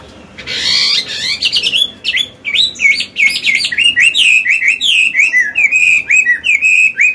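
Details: Old Chinese hwamei with a wild forest-style voice, sung to train newly caught birds and stir males to sing: a loud opening burst, then rapid varied whistled notes, slurred up and down, some ringing, many per second.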